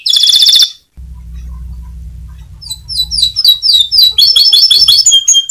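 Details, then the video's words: Singing canary, 'mecut' style meant to provoke other canaries to answer: a brief high rattling trill, a gap filled by low humming noise, then scattered sharp chirps building into quick, repeated bright twittering phrases. "Suara Kenari Mecut || Sekali Putar Kenari Lain Langsung Nyaut !!"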